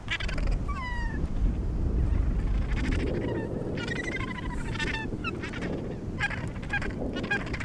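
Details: Australasian gannets at the Point Danger breeding colony near Portland, Victoria, Australia: several harsh, honking calls with stacked harmonics, some sliding down in pitch, overlap in bursts. Heavy low wind rumble runs throughout.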